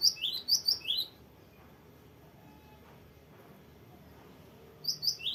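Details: Cinereous tit (gelatik batu) in full chatty song, long varied rolling style: quick two-note phrases, a high note dropping to a lower buzzy one, repeated three times in the first second, then a pause before the song resumes near the end.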